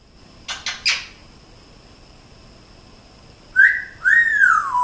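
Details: Pet African grey parrot in a room, with a few quick clicking chirps followed after a pause by two loud whistles, each sweeping upward then gliding down, the second drawn out; a person coaxes the bird nearby.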